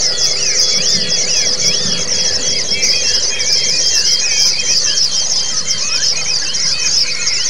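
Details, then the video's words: White-eye song used as training audio for caged birds that only twitter, meant to teach the ngalas and ngerol styles; dense continuous high warbling trills with many overlapping birds, plus looping whistled notes lower down. "Audio Terapi untuk burung Pleci yang cuma ngeriwik jadi lasrol ( ngalas dan ngerol )"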